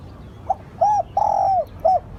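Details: Decoy spotted dove calling to draw in wild birds. One full cooing phrase: brief low note, arched coo, extended mellow coo sliding down, and a final short coo, against faint rumbling background.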